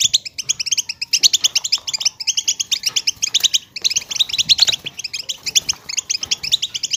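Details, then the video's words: Goldfinch batbata chatter, meant to prompt quiet goldfinches to sing: fast, continuous high twitter made of crisp repeated notes grouped in short runs, with a few gaps between phrases. "بتبتة حسون"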